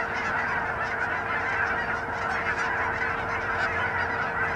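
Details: A huge flock of Canada geese, thousands on a pond in Hutchinson, Kansas, in January 2011, keeps up an unbroken din of overlapping honking calls.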